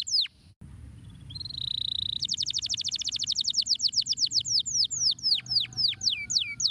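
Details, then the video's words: Canary singing a stimulating song: a few quick falling notes, a steady high whistled tone, then a fast run of repeated high notes that slows into spaced, sharply falling whistles, about four per second, over a faint low hum. "Muito efetivo! o canário imediatamente gorjeou ao ouvir isso !!"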